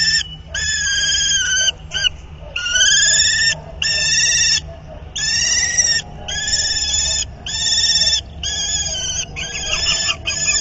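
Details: Calls of a common kestrel pair at the nest during mating, recorded on 31 March: a near-continuous run of strong, quavering, whining notes, each about a second long, separated by short gaps.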